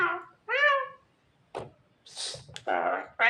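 A Javan myna mimics human sounds: harmonic, speech-like and meow-like phrases broken by a rough, noisy cough, in bursts over about three seconds.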